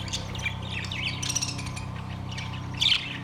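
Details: Caged budgerigars recorded on September 3, 2023, giving scattered short chirps and squawks over a steady low hum, with a louder burst of chatter near the end.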